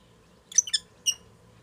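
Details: Shrill squeaky calls from a bonded adult pair of lutino Fischer's lovebirds while mating in their house: two sharp notes close together, a short gap, then one more piercing chirp.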